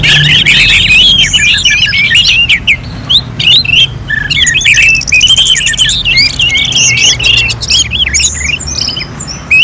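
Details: Orange-headed thrush song for bird training, loud continuous varied warbling with whistled, looping and chattering phrases, rapid and dense, over a steady low hum.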